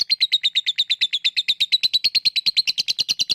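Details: Lovebird 'ngekek' used to prompt lazy lovebirds into singing: a dense, rapid rattle of shrill chips, steady in pitch and volume, about eight notes per second.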